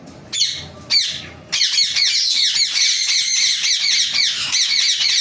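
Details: Ringneck parrot: two sharp screeches, then a long unbroken run of rapid, harsh, high-pitched notes repeated almost twice a second, loud and grating throughout.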